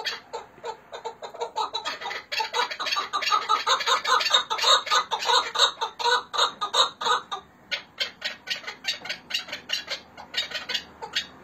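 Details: Chukar partridges recorded in Hakkari and Dersim, Turkey: a long chorus of loud, harsh clucking notes, about two to three per second, building in strength, then breaking into sharper, more spaced chucks.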